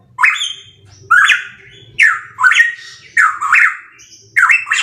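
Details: Loud pitohui calls: coarse, squawky notes rising sharply then falling in slurred, buzzy tails, sometimes doubled, repeated about once a second against a faint low hum.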